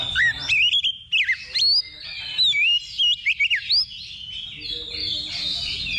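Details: Oriental magpie-robin during pre-contest practice: crisp, looping whistles that slide up and down in short groups, with pauses between bursts and other birds singing faintly.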